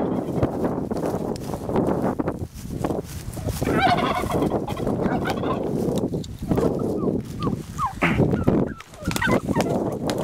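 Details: Turkeys fighting over territory, a few gobbling, warbling calls rising out of heavy background rustling, scuffling and noise.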